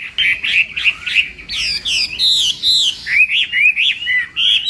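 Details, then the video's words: Chinese hwamei practising contest song in the morning, opening with quick warbled notes, then clear whistled phrases and bouncing, upswept slurs in varied sequence. "Hoạ Mi Hót Đấu /hoạ mi hót sáng luyện giọng"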